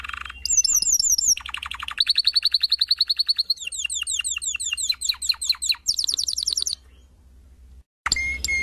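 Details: Canary from a 2016 canary song record singing quick descending whistled notes, a loud fast buzzy trill, then repeated downward sweeping notes and a high rapid roll, followed by a near-silent pause and one brief burst.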